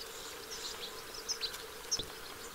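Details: Western yellow wagtails, a family bathing at the edge of Lake Hornborgasjön, Sweden, on 15 August 2023: three short, thin, high slurred call notes in quick succession over a steady background hum and hiss.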